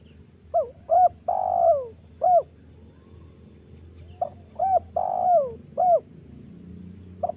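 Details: Spotted dove lure phrase for provoking doves, suitable for hunting wild ones, at home or in the forest. Short clipped coos, a long sliding coo, then another short coo, repeated twice, with a soft low background hum.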